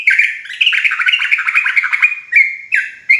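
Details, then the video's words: Sooty-headed bulbul, known locally as trucuk jawa, in a dense, continuous run of bubbly warbled notes, rising and falling quickly, with brief breaks near the end before sharp renewed phrases. "Dengar Suara Trucuk Jawa Ini"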